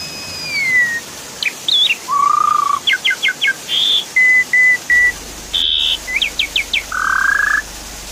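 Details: Javan pied starling song used to stir a silent bird into singing: a long falling whistle, then a rising tone, clipped repeated notes in sets of three and four, and a sustained lower whistle, over steady hiss.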